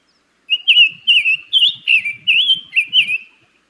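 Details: Summer Tanager, a summer nesting migrant in North Carolina, sings seven quick, clear, robin-like warbled phrases, quicker and slightly longer than a robin's, rising and falling over about three seconds, with no other sounds.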